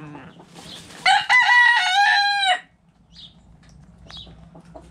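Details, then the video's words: Backyard rooster crowing among hens playing in the dirt: one loud, harsh, drawn-out crow lasting about a second and a half, ending abruptly, followed by faint chirps and quiet background hum. "Chicken Noise Sound Roosters Crowing Hens Clucking!"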